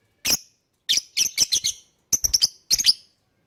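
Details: Lovebird chatter, used to coax other birds into singing: shrill, rasping chirps delivered in tight clusters of three to five notes with short gaps between groups.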